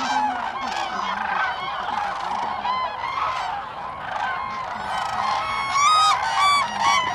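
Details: Common cranes gathered at Lake Hornborga, Sweden, in April 2017, trumpeting in chorus. Many rattling, horn-like calls overlap, roughly two per second. Louder, sharper bugles from nearer birds emerge toward the end.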